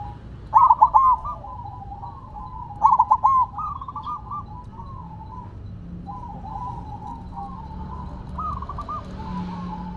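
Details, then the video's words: Ground-placed silver zebra dove keeps up its song: two loud stuttering coo bursts in the first few seconds, followed by a long stretch of quieter, trilling cooing phrases. "Perkutut Silver Tetap Gacor Walaupun Ditaruh Tanah"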